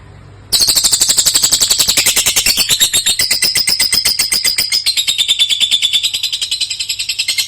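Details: Young fighter-type lovebird singing a long-duration song: after a brief quiet start, an unbroken, rapid, buzzy rattle of high chattering notes, roughly eight per second, sustained throughout with slight shifts in pitch.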